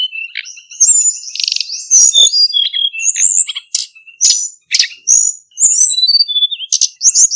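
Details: Male Hill blue flycatcher, a decoy bird used to lure others into traps, singing a dense, fast run of high chirps, short whistles and buzzy trills with brief pauses, over a faint steady high-pitched tone.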